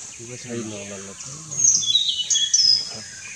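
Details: Hainan blue flycatcher, a newly split species breeding in parts of northeast India, giving an elaborate song: high, thin, sweet whistled phrases that slide and warble. A man talks at the start over a steady insect hiss.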